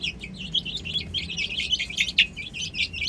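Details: A group of chicks playing on a roof, giving rapid high cheeps that crowd together without pause, with one sharper, louder peep near the end and a faint low rumble underneath.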